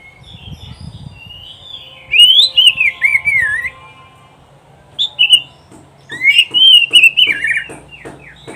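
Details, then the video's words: Oriental magpie-robin (kacer) song from a masteran recording for training pet kacer to sing and win contests: rich whistled phrases rising and twisting, sung in two bursts separated by a short pause, with a faint low rumble early on. "SUARA KICAUAN BURUNG KACER TERBAIK"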